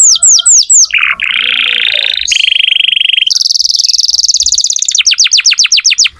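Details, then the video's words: Canary singing loudly, used to prompt young or silent canaries to sing: quick repeated falling whistles, then a low buzzy trill, a sustained high rattling trill, and a closing run of rapid rising-falling notes. "Kenari gacor untuk pancingan kenari muda atau macet bunyi"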